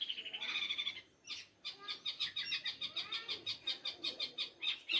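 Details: Long-tailed shrike in continuous 'gacor' song: an opening scratchy, buzzy phrase, a brief pause, then an even series of sharp, high repeated notes pulsing steadily about four times a second.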